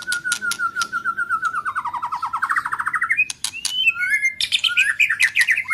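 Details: White-rumped shama singing to stimulate weak-spirited shamas and fire up young birds, with tail flicking: a rapid run of short clipped notes that slides down then climbs, followed by sharp whistles and bright rising phrases.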